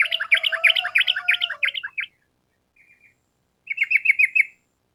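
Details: Sooty-headed bulbul in energetic 'gacor' form, voicing a long rapid 'ropel' phrase used to train kept birds. A bubbly, warbling run lasts about two seconds. After a pause, a shorter, evenly repeated burst of chirps follows.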